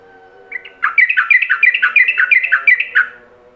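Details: Yellow-vented bulbul master song for training other bulbuls, opening straight into the ropelan style: rapid run of bright whistled notes, about three per second, dipping and rising between two pitches, after a faint low hum.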